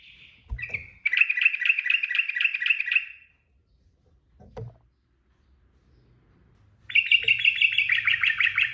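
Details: Sooty-headed bulbul in rapid ropel singing, used as masteran training audio: two long buzzy chattering trills of fast repeated notes, each lasting about two seconds, separated by a quiet gap with a brief low thump.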